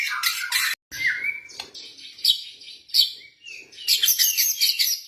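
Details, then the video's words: Caged white-rumped shama of the blorok type, song to prompt other birds: high scratchy chirps and harsh bursts, a short whistle, and a dense burst of high twittering at the end. "OCEHAN MURAI BATU BLOROK )PANCINGAN MURAI BATU MLAS BUNYI"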